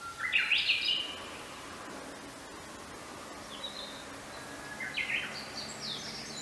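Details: Northern goshawk nestling, about four weeks old, giving short, thin, high-pitched squealing calls in two brief bursts, with a quiet hiss of outdoor background noise.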